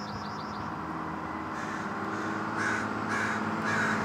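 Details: American crow (Corvus brachyrhynchos), Vancouver, Washington, USA, 21 May 2010, giving harsh, hoarse caws, about four in quick succession, over a steady low background hum; a brief high wavering whistle is heard at the start.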